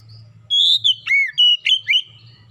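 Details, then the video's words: Oriental magpie-robin singing, used as a lure recording to prompt other birds to sing: a run of loud, clear whistled notes, some sliding down and some rising, over about one and a half seconds above a faint low hum. "PANCINGAN KACER LANGSUNG GACOR NGEPLONG NGOTOT"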